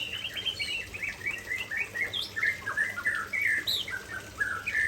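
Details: Aceh-type white-rumped shama pouring out its isian: nonstop chatter of varied whistled and slurred notes, rapid and jumbled, with a few sharp high upsweeps, loud and close.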